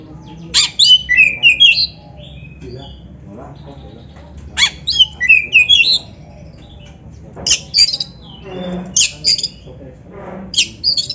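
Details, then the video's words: Oriental magpie-robin song used to get kept kacer singing: bursts of fast, twisting, high whistled phrases separated by short quiet gaps, with clusters of sharp chips near the end. "Suara Burung Kacer yang Cocok Buat LATIHAN"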